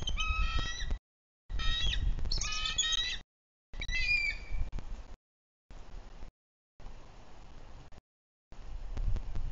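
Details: Bald eagle pair at their nest in Bluff City, Tennessee, on April 17, 2023, staying close to defend the nest and eaglet. Recorded by nest livecam. High, squealing, chattering calls with stacked tones fill the first four seconds, followed by quieter stretches broken by silent gaps.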